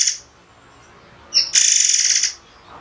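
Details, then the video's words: Murai air (white-rumped shama) giving a short whistled note that leads straight into a loud, harsh, buzzy burst under a second long, in a sharp, spaced song. "masteran murai air spesialis tembakan tajam berjeda"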